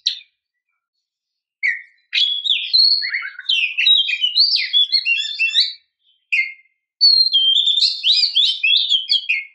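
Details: Female Oriental magpie-robin calling to stimulate a male to sing: long, fast, varied strings of high whistles, chirps and scratchy trills with brief pauses between phrases.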